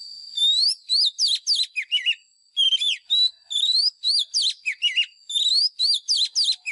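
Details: White-rumped shama singing a competition-style song used to train caged birds: bursts of loud, varied, high whistled phrases with rising sweeps, quick slurs and short trills, grouped in rapid runs with brief pauses, over a steady thin high tone.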